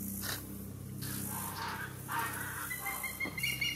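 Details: A barred owl in a marsh at Circle B Bar Reserve, Lakeland, Florida, hisses after hunting, apparently to locate another barred owl, while preening and drying its feathers: harsh, breathy hisses in about four rasping bursts over a low hum.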